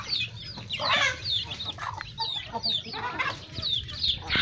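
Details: Flock of chickens with chicks and young birds feeding at a family-raised farm: many rapid high peeps and chirps overlapping, with pecking and background clatter.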